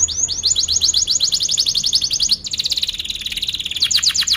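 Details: Canary song used to train young canaries: long run of rapid, evenly repeated high slurred notes, shifting into a faster rolling trill.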